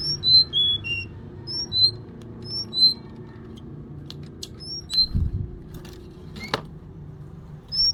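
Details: Female Sunda robin calling for a male: clear high whistled notes in a descending run, then a pause and a few scattered whistles. There are faint clicks and a brief low thump.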